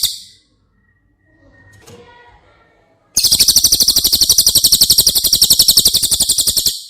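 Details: Cililin song used as training material for caged White-rumped Shamas. Soft scattered chirps are followed by a loud, high, buzzy trill of fast, even pulses that continues for nearly four seconds.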